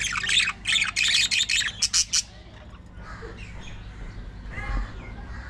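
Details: Captive budgerigar colony in an aviary: a burst of loud, rapid high chirps repeated about three per second, then softer warbling chatter from several birds against a low hum.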